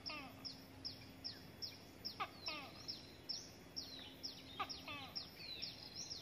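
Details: Young hill prinia begging as an adult delivers a gecko and a grasshopper; the chick came close to dying. Rapid string of thin, high, downslurred squeaks, roughly two or three per second, with occasional sharp clicks.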